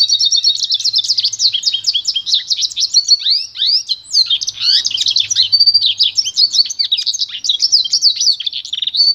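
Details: Continuous, dense twittering song of a pintagol, a hybrid of goldfinch and canary, offered for song training: fast jumbled chirps, trills and slurred whistles for about nine seconds with hardly a pause; faint low hum at times.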